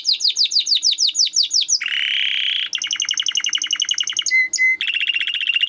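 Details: Timbrado canary in training song: a run of quick downward-sweeping notes, then a continuous harsh buzz, a long pulsing roll, two clear low whistles, and a final dense rapid trill.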